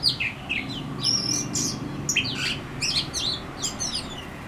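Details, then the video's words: An Oriental magpie-robin in a backyard in Howrah, West Bengal, India, sings a varied run of sweet, high whistles and quick slurred chirps, some rising and some falling, over a low background hum. "Lullaby By An Oriental Magpie Robin"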